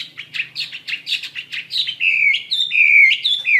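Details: Chinese hwamei singing actively: a string of quick, bouncing whistled notes, about two to three a second, runs into long, strong, slurred whistles that waver and drop at the end.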